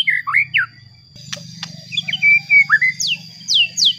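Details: White-rumped shama singing to provoke rivals: whistled swooping notes, a few clicks, a sustained level whistle, then sharp descending high notes repeated twice, over a low hum.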